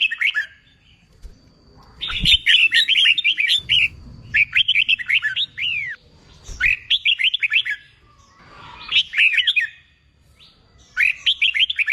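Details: Contest-training song of a red-whiskered bulbul: a series of lively whistled phrases, each a rapid string of looping slurred notes, coming every second or two with brief silences and a soft low rumble beneath.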